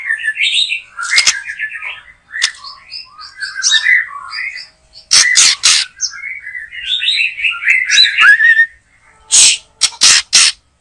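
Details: Backyard white-rumped shama in full song while being trapped: dense, fast-changing warbled and chattering phrases, with several harsh, loud bursts near the middle and a cluster of sharp snapping notes near the end.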